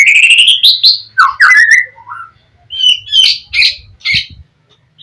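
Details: Gacor song of a white-rumped shama, used to lure other shamas into answering: a quick rising series of whistles, then slurred falling notes and several short high chattering bursts, low hum in the background.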